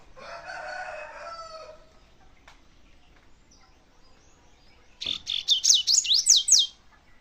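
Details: Double-collared seedeater song: a quick burst of high, looping whistled notes sweeping up and down near the end, after an earlier, lower harmonic call that sounds like a rooster crowing.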